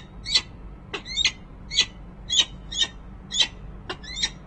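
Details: A resident female peregrine falcon on a city building nest ledge in Harrisburg, PA, mid-January 2013, nest camera recording: strong, grating calls, some paired, repeated roughly every half second in an uneven rhythm, near-silent background.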